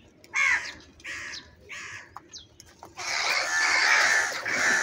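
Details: Crow calling while eating food: three harsh caws about a second apart, then a long burst of loud, broad rushing noise filling the last two seconds.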